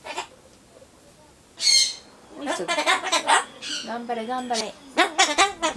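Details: Solomon Islands cockatoo kept as a pet, cheering along with the Tokyo 2020 Olympics: a quiet start, then a sharp shriek followed by a chain of wavering, voice-like harmonic syllables.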